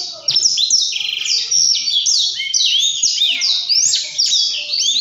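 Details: Blackthroat (black-throated canary) singing in the prolific, rolling ngerol style: a continuous rapid high warble of slurred sweeps, buzzy trills and quick twitters, unbroken for five seconds over faint low background noise.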